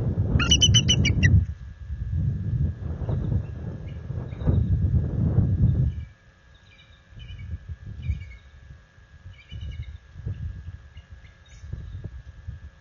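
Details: Bald eagles at night on 26 February 2022, the resident pair alerting and warning off a visiting adult eagle near their nest. A loud, rapid, piping chatter opens the recording, then fainter scattered chips sound over low rustling and rumble.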